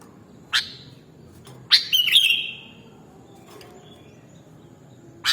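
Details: Sooty-headed bulbul (kutilang), fainter and with more background hiss: scattered sharp notes and one bubbly whistled phrase in the middle, with another sharp note at the end.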